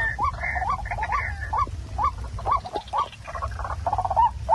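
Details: Waterhen call, played back at night to lure birds for catching: short rising notes repeated irregularly, some with harsh buzzy overtones, over a steady low hum.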